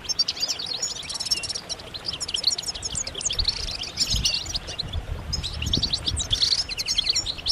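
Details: European goldfinch group chorus of mating and readiness calls to prompt males to sing; high tinkling trills and twitters overlap continuously, some buzzy rattling phrases, soft low noise beneath.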